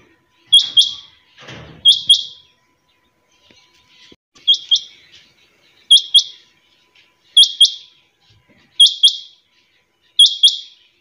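A quail gives sharp, high chirps in quick pairs, repeated about every one and a half seconds, with a brief rustle early on.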